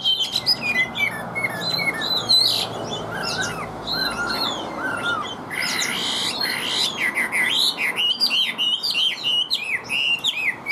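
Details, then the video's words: Chinese hwamei singing in a cage. Its voice is steady and forceful, with bursts of varied whistles and slurred notes. A louder, busier flurry of rising and falling phrases comes in the second half. "Họa Mi Hót Như Máy, Điện Đóm Căng Ra Giọng Đều"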